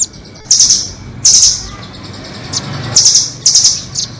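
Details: Nuthatch trapping lure, 'doraemon' and red-billed types: short, high, buzzy trills repeat at uneven intervals, about six bursts, with single sharp chips between them and a low hum in the background.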